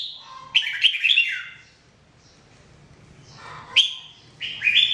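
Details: Red-whiskered bulbul singing daily, from a 2017 recording of jambul song for training: a warbling, bubbly whistled phrase, a quiet gap, then a sharp note and another rising burst of sweet whistles.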